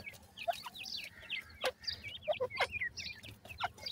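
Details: Partridge chicks peep in a flock, thin high chirps rising and falling, scattered with a few sharper clicks and soft lower notes.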